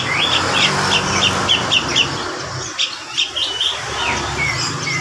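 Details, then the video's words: A young female Javan grey-cheeked bulbul (cucak jenggot), kept on a bird farm and due for breeding, gives quick sharp chirps about two per second, then a few squeakier notes, over a steady background hiss. "Jeritan Cucak Jenggot Betina Gacor"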